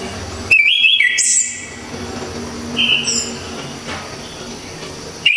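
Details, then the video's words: Javan Orange-headed thrush with a clear, powerful song: a burst of bright whistles rising steeply to a very high note, then silence, a short mid-pitched warble near three seconds, and a fresh phrase starting at the end. "ANIS KEMBANG‼️SANG Legenda TANAH JAWA ‼️TEMBAKAN KERAAS‼️DERRR DOR MANTAP JIWA‼️"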